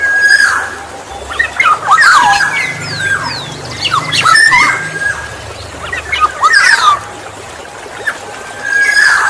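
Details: Black-naped oriole song used to lure others of its kind. Clusters of harsh, nasal, twisting notes and fluty whistles come in irregular bursts, ending with a high sustained whistle, over soft low background noise.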